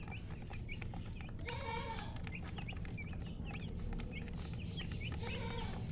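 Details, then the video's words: Sparse high chirps from chicks accompanying a colored hen, spaced irregularly. A couple of lower, harmonic-rich drawn-out calls sound twice, all over a heavy low-frequency hum. "silly chicken chirping sounds with murgi hen color chicken"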